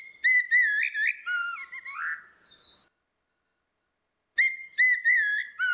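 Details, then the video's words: Orange-headed thrushes, female and male, in ngeplong song used as a lure for a silent bird: clear level and wavering whistles with rising slurs, a silent gap, then the whistling resumes. "SUARA ANIS MERAH BETINA VS ANIS MERAH JANTAN NGEPLONG || PANCINGAN ANIS MERAH MACET"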